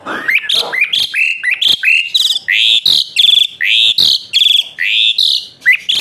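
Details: Asian pied starling in rapid continuous song used to stimulate other birds to sing: a dense series of loud rising whistles and harsh chattering notes, several per second, varying in pitch throughout.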